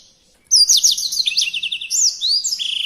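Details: Songbird singing a master song for tutoring other birds: a continuous rush of high, swooping whistles and quick chattering notes, ending in a steady buzzy trill.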